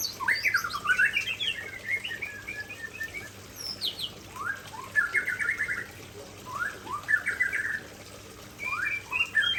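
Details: Aceh white-rumped shama pours out its signature fill in several separate bursts of fast whistles and chatters, each burst a couple of seconds long and divided by short silences.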